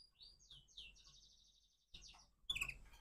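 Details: Crossbred canary singing in the morning: faint, high chirps and sweeping whistled notes, then a louder, sharper burst of tweets near the end.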